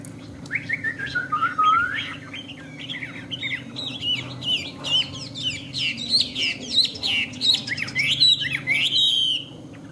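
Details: Tame caged Chinese hwamei singing: a rich run of varied whistled phrases, first descending slurs, then climbing into bright, looping high notes with quick rising and falling swoops, over a steady low hum.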